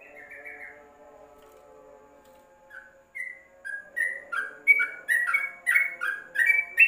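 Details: Tutor song from a yellow-vented bulbul kept in a covered cage: after a quiet start with a soft slurred note, bright bubbling phrases build up and quicken into a rapid run of chirpy, up-and-down notes; low hum throughout.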